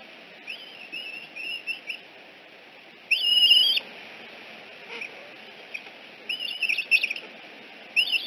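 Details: Eagle at the Decorah nest N1, 6:45 am on 14 September 2018, with a fledged juvenile visiting home and being escorted away; thin high whistled chittering calls in short bursts, separated by quiet gaps.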